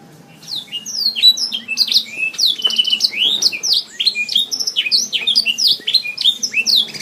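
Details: Canary song used to train songbirds' voices: a long, lively sequence of high curved whistles and downward slurs, delivered rapidly in varied phrases, with a faint low hum underneath.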